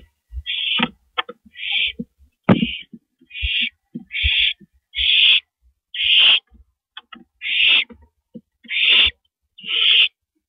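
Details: Owls on a porch at night, 2:15 AM on April 18, 2012; harsh, breathy hissing bursts about half a second long repeat roughly once a second, mixed with sharp clicks and low thumps from movement.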